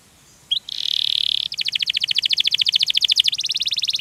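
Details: Canary rolling song: a short note, then a sustained buzzy tone, followed by a fast even trill of rapid repeated notes over faint background hiss.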